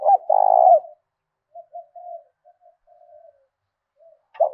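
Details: Decoy spotted dove from southern Vietnam, thổ đồng voice, urging others to fight. A long rolled coo opens, followed by a string of soft low cooing notes, then a new phrase starts abruptly.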